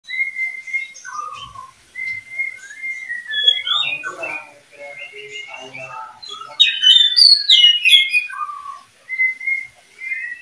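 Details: A pair of Oriental magpie-robins sings clear, varied whistles with sliding notes and scratchy chatter in quick, lively repeated bursts, with the second bird seeming to join in.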